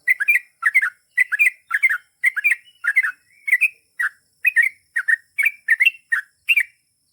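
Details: Energetic "ropel panjang" song of a sooty-headed bulbul: a steady, unbroken run of short, sweet, chirping phrases, each two or three notes, repeated almost twice a second on a clean quiet background.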